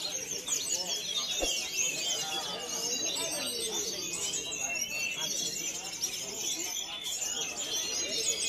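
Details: Contest-bound caged Javan whistling thrush, newly bought online, delivers a continuous stream of sharp, high twittering and short slurred whistles, one faint click near the start, with low background noise throughout.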